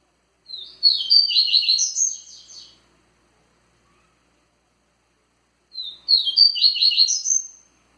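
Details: Rusty-collared seedeater repeating a forceful Tui Tui phrase twice, about five seconds apart. Each phrase is a quick, loud series of high trilled chirps lasting around two seconds, with clean silence between.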